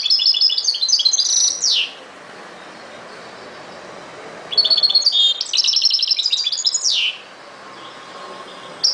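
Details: Singing European goldfinch in the ghoroub style, delivering two separate phrases of fast, high, tinkling twitters, each finished with a descending buzzy sweep, separated by several seconds of quiet.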